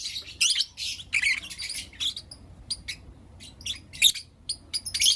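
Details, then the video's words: Morning chirping from Blue Opaline and Lutino Opaline lovebirds: loud clusters of shrill, rasping notes early on, then sparser sharp single chirps and short squawky bursts. "Lovebird Chirping Sounds and Call Sounds From Blue Opaline & Lutino Opaline"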